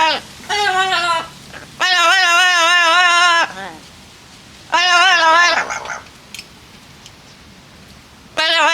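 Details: Two pet Amazon parrots being chatty while drying off outdoors on a nice day: loud, harsh, wavering calls lasting one to two seconds, separated by quieter pauses with faint indoor-like background.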